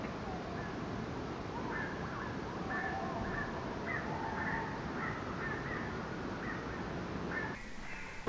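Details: Tawny owl; call; threatening a buzzard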